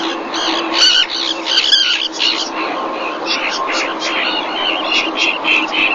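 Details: Common terns at Marismas Negras, Astillero, Cantabria, Spain, filmed by webcam in the 2021 breeding season as a fish is brought to the mother; a busy jumble of sharp, overlapping high calls over steady hiss.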